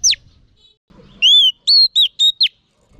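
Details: Female oriental magpie-robin whistling to stimulate male birds: a falling note, a pause, then four clear, slightly arched whistles spaced about a quarter second apart, in near silence.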